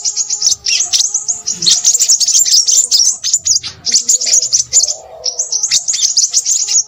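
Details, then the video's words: Crimson Sunbird sings a nonstop stream of thin, very high, sharp chattering notes in quick bursts, with a faint low hum underneath. "burung sepahraja ribut"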